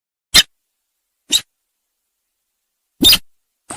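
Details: Sintar sawah trapping lure: brief dry ticking notes spaced about a second apart, with a slightly longer harsh note near the end.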